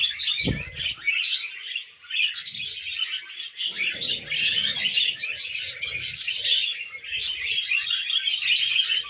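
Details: Tamed pet budgerigars chattering together: a dense, continuous stream of high, scratchy chirps and warbles from several birds, with one brief low thump near the start.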